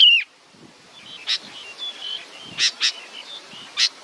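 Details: Baby bird awaiting its mother opens with a loud descending whistled call, then a few separate clipped chirps spaced roughly a second apart over faint background hiss.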